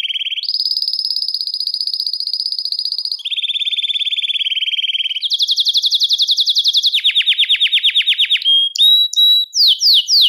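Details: Belgian canary in full song meant to excite males and bring hens into breeding condition: a series of rapid rolling trills switching between pitches, then slower rising whistled notes and sharp downslurred chips at the end.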